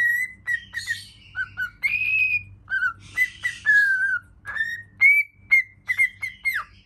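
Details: A happy cockatiel singing in front of a mirror gives a string of clear whistles, some rising, some falling, mixed with short chirps and harsh scratchy notes, about two phrases each second.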